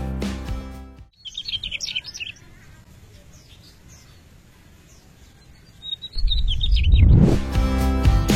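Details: A Mugimaki Flycatcher, a winter migrant from Siberia, China, Korea and Japan to Southeast Asia including Indonesia, gives quick bursts of high, thin twittering notes, a second burst after a pause; music at start and end.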